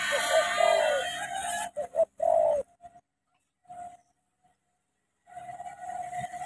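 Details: Spotted dove in Cà Mau, Vietnam: low, throaty cooing notes repeated in a loose run over a hissing background, then a pause with faint scattered coos and renewed hiss.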